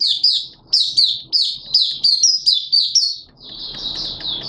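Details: Oriental white-eye from Malaysia, a hobby cage bird, singing openly: a series of loud high sweet chirps spaced about a quarter second apart, then a softer continuous twittering warble.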